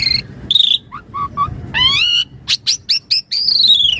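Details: Gacor Javan pied starling with mompa-style fill, offered as a lure and daily master song: long whistles, low short notes, a buzzy rising phrase, sharp high chips and a long descending whistle.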